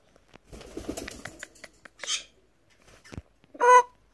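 A macaw gives one loud, harsh, brassy squawk near the end, after a short raspy screech and rustling, flapping sounds indoors.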